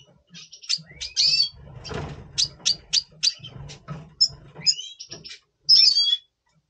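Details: Red siskin of double pastel colour, November 2023, before breeding: a jumble of high chirps, bright twittering and rising whistled slurs, with a short noisy burst near the middle.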